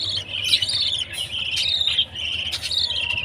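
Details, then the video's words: Baby budgerigar at food time: a continuous wavering, raspy twitter with a few sharp clicks, over a low hum. "Baby budgie's chirping sound, budgie parrot food time"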